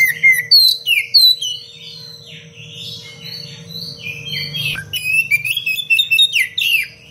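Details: Oriental magpie-robin master song for tutoring other birds, sung in the dense, spicy 'cengkok rapat pedas' style: loud, fast-varying whistles, slurs and crisp chattering phrases pouring out almost continuously, with a soft electrical hum in the background.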